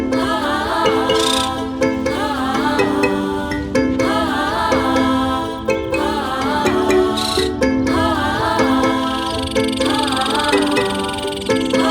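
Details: Plucked-string music with a sung melody plays throughout, and no animal voice can be picked out.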